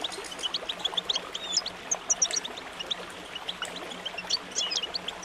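A goldfinch sings a quick, tinkling twitter of high, bright notes, with a faint steady hum and a soft watery background.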